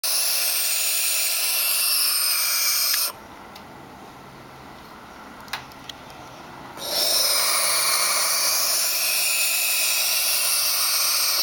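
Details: Young barn owls, described as getting ornery, give a harsh, breathy hissing screech lasting about three seconds, then fall quiet for nearly four seconds apart from two faint clicks, before another long steady hiss of about five seconds.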